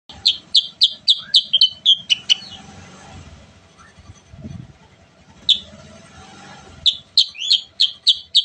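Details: Sooty-headed bulbul (kutilang sutra) singing continuously, used as a lure for other bulbuls: fast runs of short, bright, clipped notes, several per second, broken by a pause with a soft low thump before the rapid notes resume.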